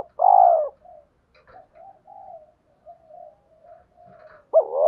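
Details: Spotted dove used as a decoy, cooing in the 'gáy gọi - thúc' calling style to attract wild doves. A strong drawn-out coo opens, then a string of soft, low murmured coos, then a sharp rising coo returns at the end.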